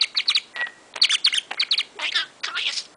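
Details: Pet budgerigar in a room in the morning, wide awake after listening to music and talking nonstop: dense, rapid high chirpy syllables in quick bursts, some short buzzy notes and a brief steady whistle near the middle.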